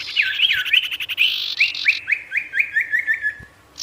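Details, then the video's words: Sirtu singing with full natural variation to draw wild birds in; a rapid tumbling warble followed by about eight evenly spaced, slurred downward notes that slow toward the end. "SIRTU GACOR BIKIN EMOSI BURUNG LIAR | Full Variasi Alam"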